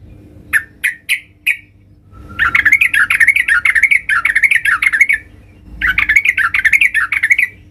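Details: Sooty-headed bulbul singing loudly to challenge rivals: a few sharp separate notes, then long rapid bubbling, warbling phrases that rise and fall, broken by a brief pause before the chatter resumes.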